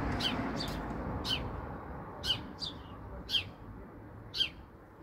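House sparrow giving short, sharp chirps about once a second, with a second softer chirp between some of them, over a low steady background rumble.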